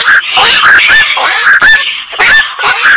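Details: Black-crowned night heron giving harsh, nasal squawks in quick succession, several overlapping with short gaps, rough and honking in tone with no other clear sounds.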